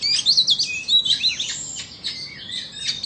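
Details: An Oriental magpie-robin duel, Vietnamese bird versus Indonesian bird: very high, sweet whistled notes and quick twittering chips repeated about three times a second, fading slightly toward the end.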